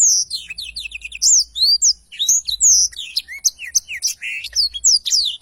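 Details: Very active Blackthroat delivering long rolling song, called ngerol panjang, recorded as training material: a dense stream of bright upward and downward slurred whistles and sharp chirps, high-pitched and continuous for over five seconds.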